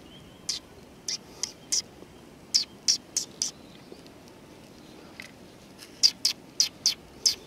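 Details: Sparrows greeting at a community hall, 16 July 2020, with bright clipped chirps in irregular clusters, a quieter stretch midway, then a closing flurry of high notes.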